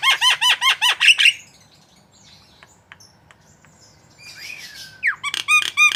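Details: Javan myna singing vigorously, recorded to train cage birds: a rapid string of bright, repeated harmonic notes, a quiet gap with soft clicks and a slurred whistle, then loud chattering notes.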